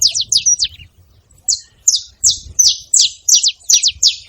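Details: Wild saffron finches, several free birds at a feeding spot, calling noisily: a rapid series of sharp, high descending chirps in bursts with a short pause, low rumble of background noise beneath.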